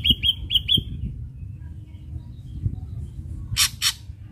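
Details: Ashy drongo song used as a lure for untrained captive drongos: four rapid clipped whistles at the start, a gap with low background noise, then two harsh rasping bursts.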